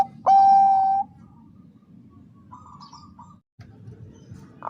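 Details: Zebra dove female, the perkutut bangkok type, calling a male to raise breeding urge; a single loud drawn-out coo lasting under a second, then soft faint cooing in a low hum.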